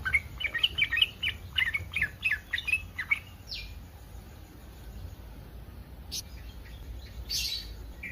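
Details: Breeding-condition yellow-vented bulbul calling to provoke other bulbuls: a burst of fast bubbly chattering notes for about three seconds, then quiet background with a few faint scattered sounds.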